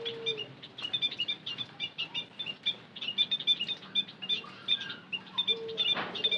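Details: Lure call of the white-headed munia: rapid, high, tinny chirps in steady rows, with faint low cooing at the start and near the end, and a brief rustle.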